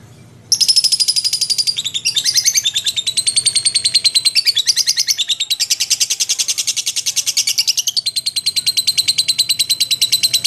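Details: After a short quiet start, a lovebird bursts into long ngekek chatter, rapid high shrill pulses continuing for ten seconds with slight shifts in pitch.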